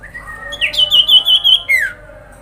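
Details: Common iora grincingan lure call to provoke a response from other ioras: a soft rising lead-in, then a clear wavering trill of about a second, finished with a short downward-sliding whistle.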